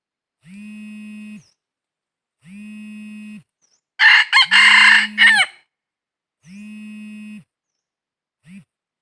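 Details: Red junglefowl crow amid wild junglefowl trapping, 22 December 2021: steady, hum-like tones about a second long repeat every two seconds, and between them one loud rasping four-part crow with a falling finish.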